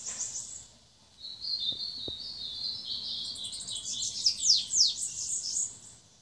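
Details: Ultramarine grosbeak singing a 'rabo torno batendo belga' style song: high thin whistled phrases that waver, ending with a few sharp descending slurred notes.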